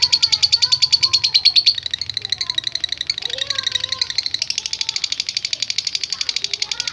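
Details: Lovebird chattering at length to provoke other lovebirds: rapid, evenly pulsed shrill notes, loud at first, then a denser buzzing stretch, with faint lower whistles from other birds.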